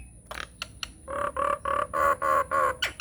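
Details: Nias hill myna lure song, used to coax silent mynas into singing: a few sharp clicks, then seven evenly spaced harsh nasal notes in steady rhythm, closing with a quick downswept squawk.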